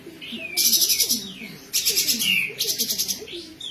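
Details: Kapas tembak bird singing in besetan style, a frequent singer fit for tutoring magpie-robins and green leafbirds: three dense buzzy rattling bursts in quick succession, each trailing into a falling whistle, over soft low warbles.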